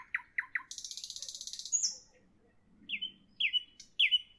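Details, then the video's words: The nightingale sings in the evening: three quick chirps, a rapid buzzy pulsed rattle, a pause, then three clear falling whistles spaced about half a second apart. "Evening nightingale, nightingale song, nightingale"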